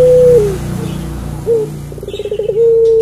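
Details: Barbary dove, called puter pelung: a long steady coo tails off falling, then a short note, a rapid pulsed rattle and another drawn-out level coo, over a low rumbling background hum.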